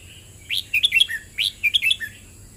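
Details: Red-whiskered bulbul, "เบิ้ลริก" song style: a soft note, then two rapid bubbly whistled phrases, each ending in a lower falling slur. A steady high hiss runs underneath.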